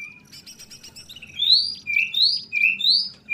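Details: Kacer trotol, an Oriental magpie-robin, singing the loud ngeplong song: a short series of ticking notes leads into strong slurred whistles alternating upward and downward, about one every half second, over a low steady hum.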